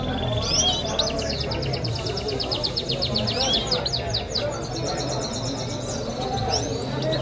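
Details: Goldfinch singing in Kabul, Afghanistan: rapid, repeated high twittering trills with short sweeping notes, running almost continuously through the recording over steady low background noise and people's voices.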